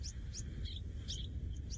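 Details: A Winding Cisticola in the Masai Mara at sunset on 1 October 2017 gives thin, high chirps, about three a second, over a steady low rumble of wind and background noise.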